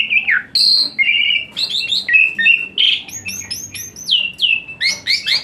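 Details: Asian pied starling song full of varied phrases, played to encourage a quiet caged starling: flat whistles and harsh notes, then a string of high, falling whistled slurs.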